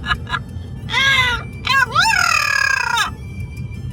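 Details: Amazon parrot vocalizing noisily on a road trip drive to a brewery, giving loud harmonic squawks and a long drawn-out call that dips then rises, over steady engine rumble with music playing.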